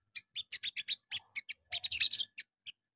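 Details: Morning lure song of a little spiderhunter (sogon), played so other birds answer: a quick series of high, clipped chip notes that runs together into a denser chattering burst near the end.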